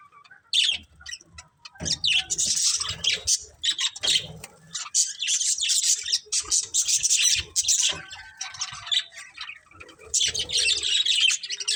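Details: Breeding pair of budgies chattering in bursts of scratchy, high chirps and warbles, with quieter stretches and some low background rumble between bouts.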